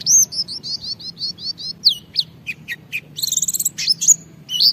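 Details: Lively white-eye song meant to prompt other white-eyes into singing: a run of about eight quick, high, looping whistled notes, then sharp downslurred chips, a fast buzzy trill and bright squeaky flourishes.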